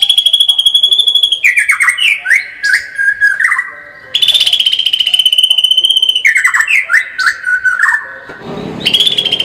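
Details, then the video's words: Murai batu song, 'full tembakan' style: high rapid trills alternate with descending whistled phrases, repeating in two cycles. Near the end comes a short harsh burst. "kicau murai batu gacor full tembakan"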